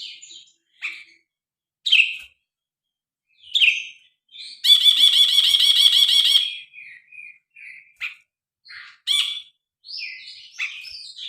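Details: Grey-cheeked bulbul on a phone recording: scattered short harsh notes, then a sustained fast rattling trill about two seconds long, followed by more brief chirps and warbled phrases.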